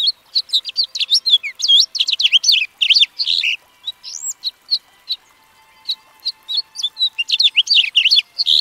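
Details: House finch singing a long, lively warble of rapid chirps, slurred whistles and twittering notes tumbling up and down, with a brief lull midway before the jumbled phrases resume.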